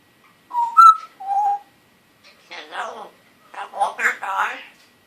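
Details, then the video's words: One-year-old pet male African grey parrot indoors, just beginning to talk in a still scratchy voice; clear whistled notes near the start, then a few hoarse, speech-like mimicked words after short pauses. "Talking African Gray Parrot"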